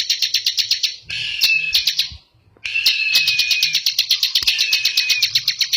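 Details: Bar-winged prinia singing actively in the ngebren style: a fast run of high, sharp, buzzy notes about four per second, broken by a brief pause, then resuming as a dense rattling trill over a thin sustained whistle.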